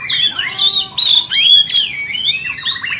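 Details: Oriental magpie-robin song used to provoke other magpie-robins: rapid, high whistled notes that swoop up and down in lively, tightly packed phrases.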